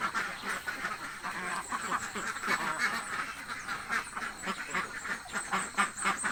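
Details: A crowd of very hungry village ducks calls nonstop, rough nasal quacks piling up in a fast, irregular chorus.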